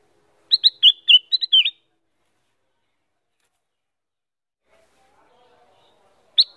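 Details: Female Black-crested Bulbul singing actively: a quick, bright burst of chirped and warbled notes lasting about a second, then a long quiet pause before another short phrase begins at the end.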